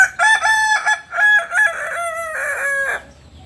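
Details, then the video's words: Kukuak Balenggek cockerel of the biriang kuniang colour type, native to Solok in West Sumatra. It gives a loud, continuous crow of about three seconds, broken into many short stepped notes that rise and fall before a lower, drawn-out final syllable. "Biriang kuniang Ayam kukuak balenggek asli Solok Sumbar"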